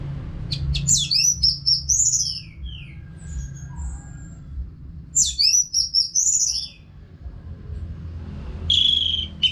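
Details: Orange-headed thrush, caged in North Bali, sings continuously as a therapy sound for other birds: two long bursts of rich, high, rapidly varied whistled phrases with upward and downward slides, separated by quieter soft notes; steady low background hum.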